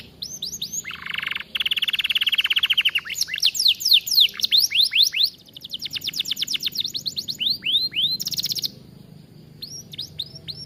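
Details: Atlantic canary song for training other birds: long rapid trills of repeated upswept notes, a rolling buzzy trill lower down, then high chirps and fast rattling runs.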